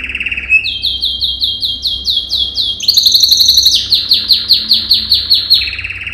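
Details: Yellow canary, male, training song for canaries: long loud series of rapid repeated upswept notes, changing to a faster, higher run, then a lower trill, bright and continuous.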